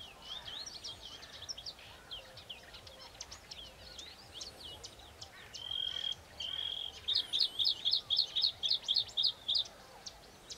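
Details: Bluethroat lured by playback, agitated by the rival song and arriving to contest it, sings a rapid jumble of high, scratchy chirps, a couple of pure drawn-out whistles, then about a dozen quick ringing repeated notes.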